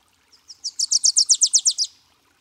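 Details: Wilson's warbler, a summer breeding visitor in Washington State, singing a quick chattering run of about a dozen high, sharp notes that swells in loudness over a second and a half, with no other sounds.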